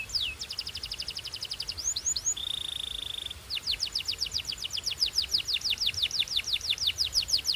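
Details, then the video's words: Belgian canary warming up into song: a fast series of down-slurred whistles, a steady buzzing roll, then a long even run of descending whistled notes about three per second. "This BELGIAN CANARY SINGS BEAUTIFULLY - Warms up quickly!"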